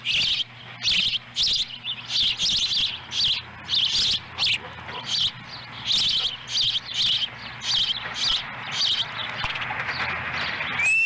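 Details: Ospreys at a nest in Lolo, Montana, on July 18, 2017, as the female delivers a small fish that a young bird eats whole; loud, shrill whistled chirps come in bursts about every half second, with faint background hum.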